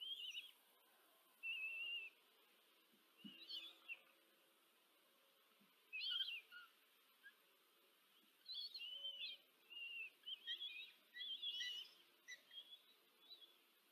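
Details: Four common kestrel nestlings fed by their mother at a nest in Tiszanagyfalu, Hungary, 14 July 2023: high, shrill, quavering whines in irregular bursts, several overlapping calls crowded together near the end.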